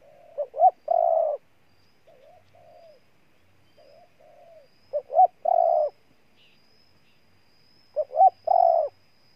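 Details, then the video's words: Spotted dove from Ninh Thuận, Vietnam, cooing three times: a short two-note lead-in followed by a long, steady, low coo. Fainter answering coos sit in the gaps, with a thin, constant high whine throughout. "Cu Gáy Ninh Thuận"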